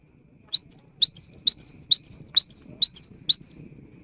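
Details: Energetic gacor song of a cinereous tit, used as a lure for tits that have not yet sung. About nine sharp, evenly spaced two-note phrases, a rising sweep then a high clear note, with a faint low rumble beneath.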